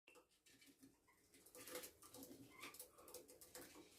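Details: Pet budgerigars chatter in short, scratchy chirps and warbles, with a few brief clicks between them.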